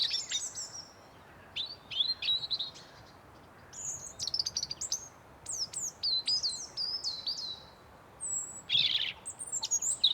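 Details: Forest ambience of birds chirping: rapid series of sharp, descending high notes and twittery trills, repeated in bursts every second or two against a soft hiss.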